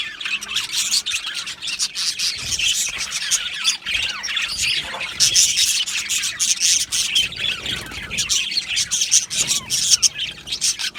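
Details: Aviary full of Australian budgies producing nonstop overlapping chatter, harsh squawks mixed with quick high twittering, the loudness pulsing unevenly throughout.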